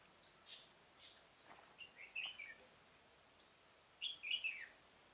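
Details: Red-whiskered bulbul kept as a lure bird in a pomelo garden trap, October 2017: faint chirps lead into two clear warbled phrases of fluty notes falling in pitch, spaced about two seconds apart.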